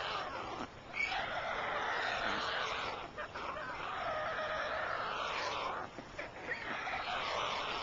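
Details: Adult white storks at their nest on 27 June 2010 around 21:11, changing over care and feeding young; dry rattling clatter bouts about two seconds long separated by short pauses, with faint higher chirps mixed in.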